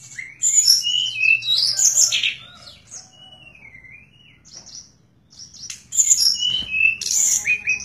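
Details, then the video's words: Tledekan bird singing: two bursts of bright, high chattering and whistled notes, separated by a softer, long wavering whistle, over a faint low hum. "Burung Tledekan Gacor Suara Nyuling Muntahin Isian FULL"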